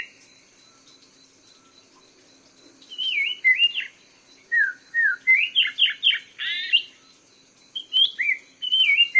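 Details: Black-throated laughingthrush singing: after two quiet seconds, a lively run of clear whistled notes, some sliding down and some quick upward sweeps, ends in a brief pause and then more warbled phrases. A faint steady high hum runs behind.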